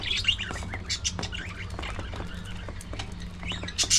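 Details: Budgies active during early morning feeding, scattered short high chirps and squeaky notes from several birds, with a few louder calls at the start and close, a steady low background hum throughout.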